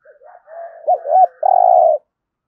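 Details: Spotted dove cooing in a 'thổ' voice style, played to prompt captive birds into calling: soft low murmurs build into two looping accented coos, then a long sustained vibrating coo, on a clean quiet background.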